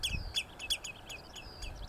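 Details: On machair grassland on Coll or Tiree, Inner Hebrides, Scotland, in May, a Common Redshank protecting its young gives anxious alarm calls: high, piping, down-slurred notes about three a second, over faint wind or background rumble.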